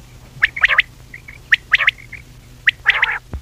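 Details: Common quail calling, a recording used for hunting. Sharp, clipped whistles come in quick two- and three-note bursts. One burst ends in a rougher, harsher note. A low constant hum runs underneath.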